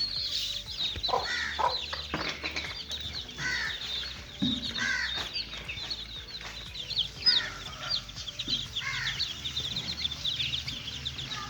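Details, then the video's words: Young chickens playing: softer, continuous high cheeping from a group of chicks, mixed with clicks, knocks and scuffling sounds. "little chicks playing"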